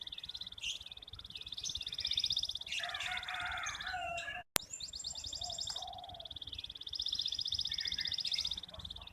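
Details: Local red canary in full song, used as a model for training young birds: long fast high trills repeated in runs, a brief lower warbled phrase midway and one sharp click, over faint low noise.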